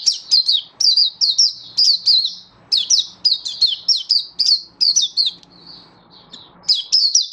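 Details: High-pitched Oriental white-eye song recorded 24 February 2023, a lively series of quick slurred chirps in clusters, pausing briefly before resuming, with a faint low hum in the background.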